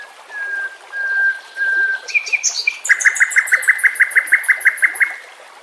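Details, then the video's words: White-rumped shama song from a recording meant as a master song for training caged birds, set with nature sounds and trickling water: a few long steady whistles, then a fast run of about fifteen evenly repeated sharp notes. "Masteran murai batu TERAMPUH yang di pakai semua burung juara"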